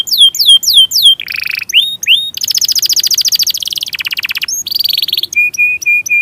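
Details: Long-rolling canary song used as a tutor for other canaries. Varied phrases: descending whistled swoops, short buzzy bursts, a long fast trill, then a few short flat whistles repeated evenly.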